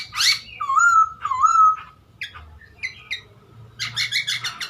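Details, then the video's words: Chinese hwamei singing to provoke other birds: rich slurred whistles wavering up and down, then brief chattering notes and a fast run of repeated buzzy elements near the end. "OCEHAN Poksay Hongkong Gacor Efektif Bikin Burung Kesayangan Bos q Ikut Emosi + GACOR"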